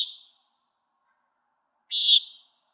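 A common nighthawk gives a nasal, buzzy peent, once at the very start and again near the end, each about a third of a second, with quiet between.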